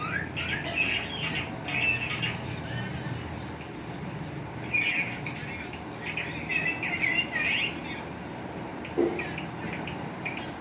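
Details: Pet green ringneck parrot calling with bursts of warbling, chattering notes that come and go over several seconds, separated by quieter gaps, against a steady low background hum.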